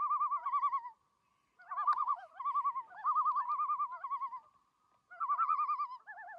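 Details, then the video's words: Loon in the Canadian wilderness of Algonquin Park gives rapid, quavering, laugh-like wavering notes in three bursts, a mid-pitched tone shaking quickly up and down; nothing else is heard. "Loon Calls"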